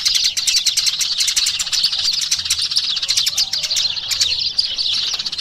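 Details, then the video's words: Eurasian tree sparrows in a dense, continuous chorus of high, rapid chirps that overlap without pause, with a faint low hum underneath. "SUARA BURUNG EMPRIT GEREJA"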